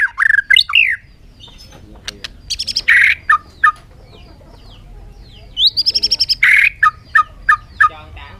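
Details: Bird delivering repeated phrases: a rising whistle runs into a harsh buzzy burst, followed by several short clipped notes about three per second, with the pattern given twice.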